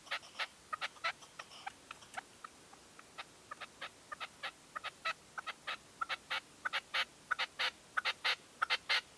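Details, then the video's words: Red-legged partridge decoy calling at dawn in a 2023 hunting stand: a steady series of short, sharp clucking notes, about one and a half per second, growing louder toward the end. "PERDIZ CON RECLAMO 2023. GALMÉS Y UN INTENSO PUESTO DE ALBA."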